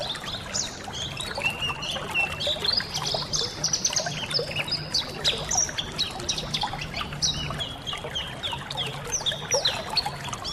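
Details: A colony of white-eyes, played as water therapy so that caged birds start singing, chattering continuously in busy high chirps, short buzzy trills and quick twitters, with steady trickling and pouring water underneath.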